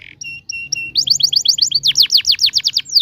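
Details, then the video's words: Long-singing canary, ngerol style used to tutor juveniles: three short steady high whistles, then a rapid bright trill of repeated downward-curving notes. "kenari gacor panjang TEMBAKAN NGEROL"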